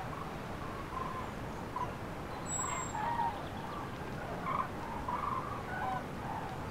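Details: Common cranes on their spring passage over central France on 5 March 2016, afternoon, flocks scattered by rough weather; scattered distant rolling trumpet notes, clustering between four and six seconds, over heavy wind rumble and a brief high whistle.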